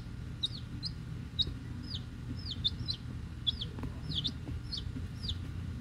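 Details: Week-old Rhode Island Red and Black Sumatra chicks, newly hatched and picked up from the post office, peeping with high, down-slurred cheeps repeated irregularly, set against a steady low hum and rumble.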